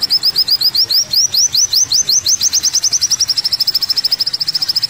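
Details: Masteran recording of an olive-backed sunbird (kolibri wulung) singing: sharp rising high chips repeated about three per second, then accelerating into a fast, even, rattling trill.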